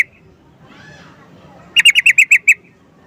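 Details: Sooty-headed bulbul calling: after a quiet start, one quick run of seven bright, clipped notes in rapid succession, evenly spaced and of steady pitch.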